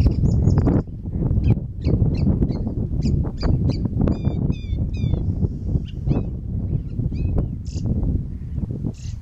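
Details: Eurasian reed warbler singing at dusk, around 8 pm, at Blakeney Freshes on 2 April 2013; varied short chirps and rapid downslurred whistled notes in quick bursts, over a constant loud low rumble of wind.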